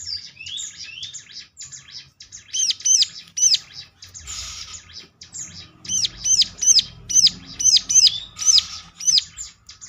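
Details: Bar-winged prinia singing as a lure to trigger replies from others: a few soft sliding whistles, then a long, steady run of sharp, high, arch-shaped chirps about two per second, with a brief rustle midway.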